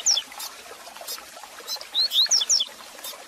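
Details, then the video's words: Brief passage of Double-collared seedeater song for warming up a caged male: a few sharp, high downslurred whistles at the start, then a tight group of rising and falling notes near the end, with faint clicking noise. "Canto Para Esquentar seu Coleiro Com Fibra!!!"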